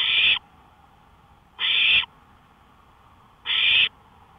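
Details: Owl calling outside a porch at 1:53 AM on May 5, 2013: three harsh, hissing, screech-like bursts of about half a second each, spaced nearly two seconds apart, over a quiet night background.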